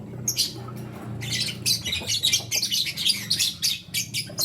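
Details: Lutino lovebirds, a male with two females, chirp continuously in fast, shrill, scratchy bursts, one after another with barely a pause, over a low steady hum.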